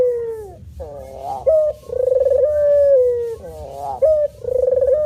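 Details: Male spotted dove in manggung cooing, with a falling coo, then a buzzy rising phrase and a long even mellow coo, and a final rising note leading into another pulsed coo.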